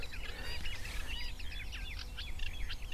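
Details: A pair of Eurasian reed warblers in reeds in the UK in the morning, sometimes scuffling with another pair; chattering, scratchy song runs steadily in the background, fast jumbled notes without pause, over low rumbling wind or traffic noise.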